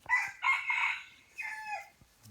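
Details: A free-range hybrid rooster resting after feeding in a shaded garden-forest, on a sunless day after the rain had stopped, crows in a harsh, strained burst of several syllables, the final note drawn out and falling, with a man's voice faintly at the end.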